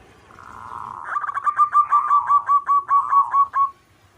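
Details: Local zebra dove in strong song: a soft rising lead-in swells into a loud, regular string of about fourteen clipped, bubbling cooing notes before fading away.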